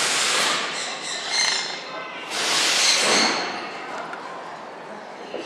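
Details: Captive Catalina macaw, after finishing and tossing away a banana, gives two long, harsh, raspy squawks, the second louder and rougher, with a quieter rustle between them.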